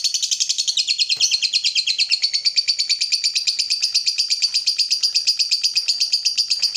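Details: Lovebird of the fighter type giving ngekek, a long song used as a lure to stimulate other lovebirds to sing: an unbroken, rapid, high chattering trill of buzzy chirps, about three per second, lasting the whole stretch with no pause.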